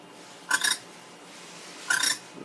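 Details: A wild female barn owl on a barn deck, seemingly telling her mate to go hunting as he hasn't brought her food, gives two short, harsh chattering bursts about a second and a half apart, clicky and broadband, against a quiet background.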